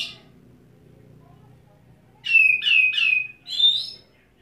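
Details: In wet setting, an Oriental magpie-robin sings at one spot with display: after quiet, three rapid buzzy whistled notes follow in a row, then a higher, thinner whistle closes the phrase.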